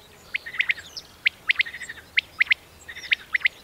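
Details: Common quail male singing its 'boy' song: sharp, clipped three-note 'wet-my-lips' phrases repeated roughly once a second, the first note soft and the next two louder and quick, with faint other bird twitters in a quiet open setting.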